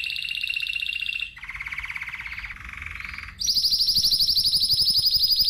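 A Spanish Timbrado canary sings fast metallic rolling trills: a bright middle roll, a lower bubbling passage, then a loud, very high ringing trill. No other sounds.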